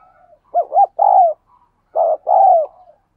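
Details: Spotted dove 'thúc gù' coo used to train decoys and draw wild doves to sing: two brief bouncing hoots and a drawn-out note, then a second pair of muffled coos ending in a long falling one.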